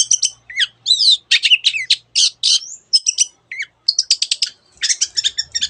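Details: Long-tailed shrike delivering a packed mimicry song that includes canary and many other species: quick scratchy notes, twisting whistles and dropping slurs, then fast trilled series, scarcely broken over several seconds.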